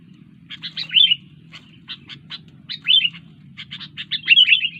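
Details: Sooty-headed bulbul giving groups of short clipped chirps alternating with louder slurred warbled phrases, repeated three times, with a low background hum.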